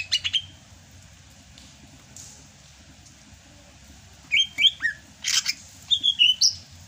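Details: Greater green leafbird from Sumatra in rainy-season song, a kept bird: a few opening chips, a long quiet gap, then lively bursts of slurred whistles and harsh notes.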